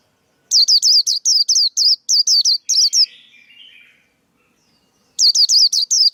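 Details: Male white-eye, recorded to train young birds and lure others into traps: a long run of loud, high staccato chirps fading into a lower buzzy twitter, then another burst of chirps.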